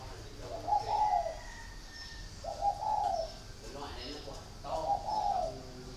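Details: Spotted dove kept in a cage with a dragon-shaped door at a dove farm in Ba Vì, Hanoi, Vietnam, giving three rounded, hollow coo phrases roughly every two seconds; a low hum and faint murmurs sit underneath.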